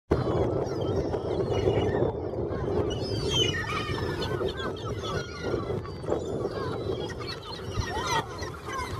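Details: Dozens of yellow-legged gulls fight frantically over fishermen's discarded scraps in the harbour of A Guarda, Spain, giving constant overlapping harsh laughing calls and squeals over a low rumble of harbour noise.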